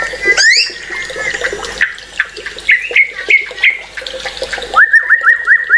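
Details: White-rumped shama singing a varied song of whistles and chatter, ending with a quick series of short, repeated, upslurred whistled notes.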